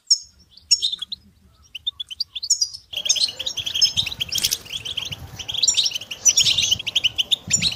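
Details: Goldfinch song for training songbirds: sparse high chirps and short trills for three seconds, then a dense, continuous bright twittering with fast tinkling notes and buzzy trills, over a faint low background rumble.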